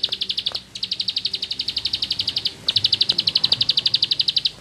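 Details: Rice-field bar-winged prinia singing in rapid ngebren style: two long runs of bright, high chirping notes at about four per second, with a short break between them.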